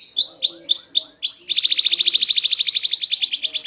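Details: In a brief varied song, a small canary sings four or five rising slurred whistles, then a fast, bright trill of short repeated notes.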